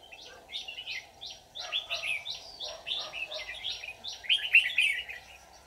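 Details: Red-whiskered bulbul decoy used to trap wild birds, recorded 24 July 2019. A rapid series of bright, slurred whistled notes, about two per second, dropping in pitch, ending in a louder warbled flourish.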